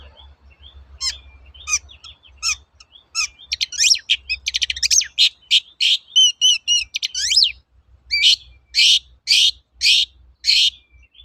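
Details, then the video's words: Long-tailed shrike (cendet) lure song for training birds: soft scattered chirps building into quick mimicked whistles and trills, ending in a series of loud harsh rasping bursts, over a low background hum. "BURUNG CENDET GACOR TOET-TOET, PANCINGAN AMPUH SAAT INI"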